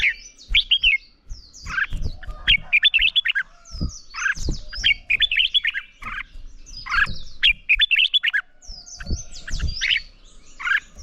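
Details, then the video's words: Red-whiskered bulbul fighting song, morning singing for voice training of young birds: clustered phrases of rich, warbled notes repeated roughly every second or two, separated by short pauses and a few dull knocks. "Chào Mào Hót Đấu - Kích Chào Mào Hót Sáng Luyện Giọng Bổi Hót Đấu Căng Lửa"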